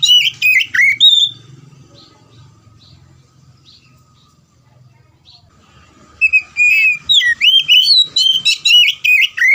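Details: Loud 'gacor ngeplong' singing of an oriental magpie-robin, meant to prompt raw or stalled birds to sing: clear, varied whistled phrases with sharp slurred notes, a pause with faint notes and low rumble, then a fast run of repeated bright whistles.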